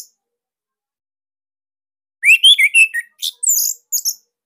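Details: Orange-headed thrush of the Bali type, recorded as training material for other thrushes: after a silence, a quick run of rising slurred whistles followed by high, sharp chirps, loud and clipped.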